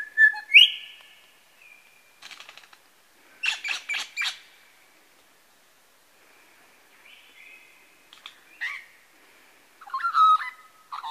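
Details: Mimicking various birds, a male lyrebird at Masons Falls in Kinglake National Park mixes a rising whistle, short buzzy bursts, a steady whistled tone and clipped chirps, separated by quiet gaps.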